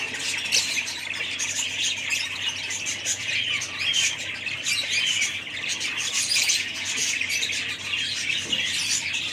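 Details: Constant twittering from a gathering of budgerigars: high warbles, clicks and scratchy squawks overlap densely from start to finish at an even loudness.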